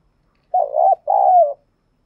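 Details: Decoy spotted dove cooing, kept to provoke other doves each day: two low, mellow, throaty coo notes, the first warbling and the second longer and sliding down slightly, in a quiet indoor setting.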